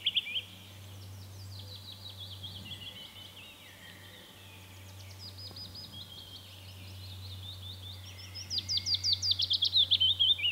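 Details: Willow Warbler in Latvia singing soft, sweet phrases of whistled notes that cascade downward and fade, repeated several times, over a steady low hum. Willow warbler.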